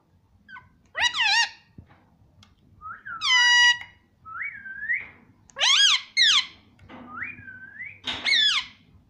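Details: Talking rose-ringed parakeet, a pet green ringneck: harsh, nasal, descending squawks alternate with smooth rising whistles, roughly one sound every second. Faint low room hum underneath.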